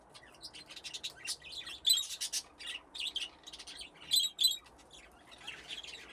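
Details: Budgerigars in an aviary with nest boxes, their group grown from two original pairs; continuous high chatter of quick chirps and squeaky notes, with two brief louder flurries.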